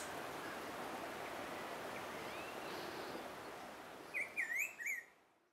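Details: Black-throated grosbeak (Saltator fuliginosus) giving a brief whistled phrase of three or four up-and-down slurred notes near the end, after several seconds of broad, rushing background noise.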